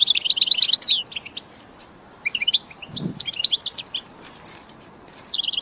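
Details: Goldfinch song played to motivate caged birds: a fast twittering phrase, a pause, scattered chirps with a soft low thump, then another bright twitter at the end.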